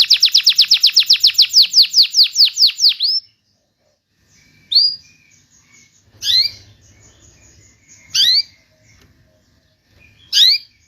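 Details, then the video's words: Canary singing as a prompt for canaries that have gone quiet: a fast series of falling high notes for three seconds, then silence broken by short isolated rising chirps at irregular intervals. "PANCINGAN BURUNG KENARI MACET BUNYI"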